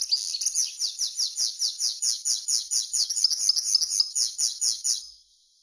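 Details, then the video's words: A common linnet sings a steady stream of high, slurred twitter phrases, about four per second, with even rhythm throughout, then fades out. "Chant De Linotte"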